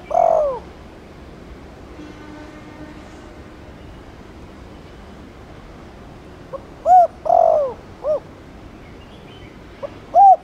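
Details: Spotted dove cooing, played to stimulate other doves to coo quickly; a low, soft coo, a pause of several seconds, then a short burst of rolling coos, over steady background hiss.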